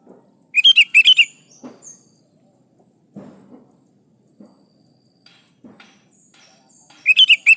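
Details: Energetic sooty-headed bulbul, kutilang gacor, used to lure other bulbuls into answering: two quick bursts of three or four loud, bubbly whistled notes near the start and another burst at the end, with soft low knocks between.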